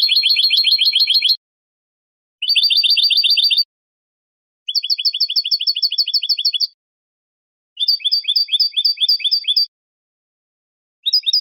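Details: European goldfinch performing hammered bibleos martilleados basic song: five trill bursts of fast, regularly repeated high metallic notes, each one to two seconds long, separated by short silences, with nothing else audible.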